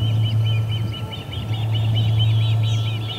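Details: Osprey chirping as visitors are ejected from the Charlo P2 nest on August 20, 2020, at 12:10pm MDT. Quick, evenly spaced high chirps repeat in a steady stream, with a persistent low hum beneath.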